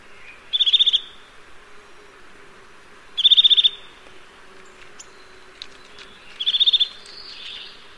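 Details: Eurasian nuthatch repeating fast, high piping trills, three bursts of roughly seven or eight quick notes each, spaced a few seconds apart, with faint softer bird notes between and a low steady hum underneath.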